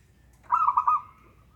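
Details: Local zebra dove used as a lure to prompt a reluctant dove to sing: one short phrase of quick rolling, pulsed coos, about half a second long, over a quiet background.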